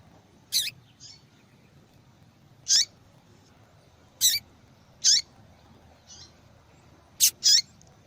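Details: A female yellow-bellied seedeater calls insistently, a recording used to stimulate male singing. Loud, high chip notes sound at irregular intervals, ending in a quick pair, with quieter notes interspersed.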